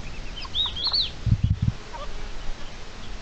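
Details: Red-legged partridge defending its chicks, recorded 29 May 2023: short high, arching whistled notes in the first second, then a burst of low dull thumps, with a few fainter squeaky notes afterwards.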